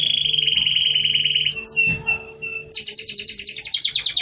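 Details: Canary still in moult, singing near dusk with prinia-imitation phrases: a long steady high whistle, a short break of scattered notes, then fast repeated buzzy downslurred notes with a faint low hum behind.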